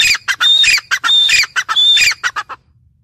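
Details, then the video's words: A female grey francolin gives harsh, loud squawking notes in quick bursts, with a thin high whistle rising out of each burst; nothing else is heard. "Teetar Sound teetar ki awaz female teetar awaz gray francolin teetar voice"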